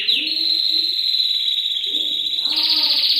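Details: Singing canary in a masteran recording, holding a long, level, high-pitched rolling trill before shifting to a brighter, harsher trill, with soft low warbling notes beneath.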